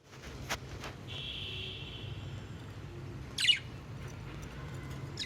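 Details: A budgerigar chirping in the morning gives a drawn-out thin whistle, then a sharp scratchy chirp over a low steady hum.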